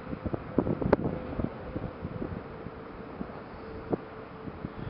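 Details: Gusty wind buffeting the microphone with rustling thumps and a faint low hum, without any animal voice.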